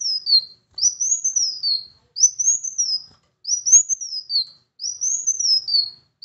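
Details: High, thin whistled phrases from a Van Hasselt's sunbird, played to get a reluctant bird singing; five arched phrases, each rising then trailing downward, spaced about every one and a half seconds in a quiet setting.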